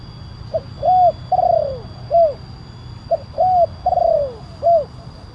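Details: Spotted dove lure recording, big-voiced kuk 1 style: two complete phrases, each a short hoot, a swelling coo, a long tremulous descending coo and a final short coo, roughly every two and a half seconds.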